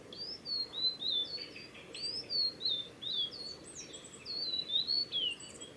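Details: Blue-and-white flycatcher male in full song, Mizusawa forest road, Tanzawa, Japan, 8 June 2020; rapid sweeping whistles rising and falling, repeated almost continuously with short high flourishes.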